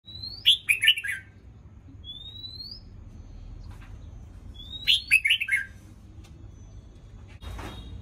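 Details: Newly moulted red-whiskered bulbul singing in the morning: two short bursts of bright, warbled notes falling from high to mid pitch, with a lone rising whistle between them and a brief noisy rustle at the end.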